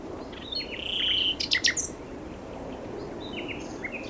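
A common nightingale sings a long, pure whistled note, then a burst of sharp clicking notes and scattered high chirps, over a soft steady background hiss.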